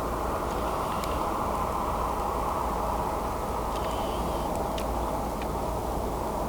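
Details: Steady vehicle rumble and road noise fill the recording throughout, with a few faint ticks above it.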